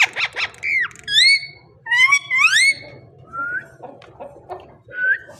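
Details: Talking parrot giving a varied string of sounds: chattering harmonic notes, a falling whistle, several bright upward-sweeping whistles, then softer short whistled calls with low background hum.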